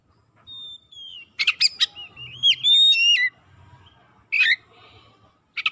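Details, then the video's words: Lure song of an Oriental magpie-robin meant to set quiet birds singing: a clear descending whistle, a cluster of sharp chips, then looping whistled notes and a rising phrase, followed by two short harsh bursts. "PANCINGAN KACER LELET BISU | PASTI AKAN IKUT GACOR NGEPLONG GACOR"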